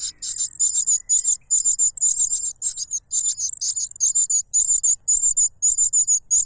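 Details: Cuckoo chick begging loudly as the foster father feeds it; insistent, very high, thin chirps in short rhythmic bursts with small gaps between them.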